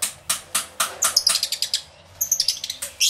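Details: Lovebirds in an aviary: sharp shrill chirps repeated roughly every quarter second, with brief pauses and a squeaky high flurry near the end.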